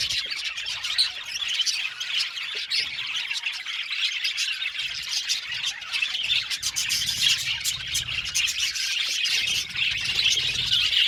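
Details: Dense chorus from an aviary colony of Australian budgies: continuous high twittering and squawking from many birds, growing a little louder toward the end.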